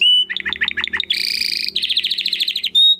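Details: A Belgian canary sings a fast, varied phrase: a clear whistle, five quick falling notes, a dense buzzy roll and a bright rattling trill, ending on a high whistle.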